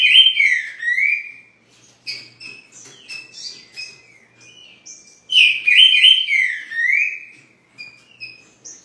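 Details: Green-winged saltator in Rio de Janeiro, a newly added bird described as weak, gives rich whistled slurs dipping and rising, in two main bursts separated by softer high twittering notes.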